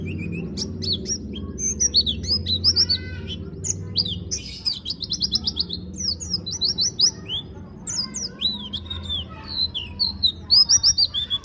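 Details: Dakun white-eye from Malang in ngalas ngeroll song: an almost continuous stream of high, quick chirps, slurred notes and short rattling runs, loud and varied, over a low steady background hum.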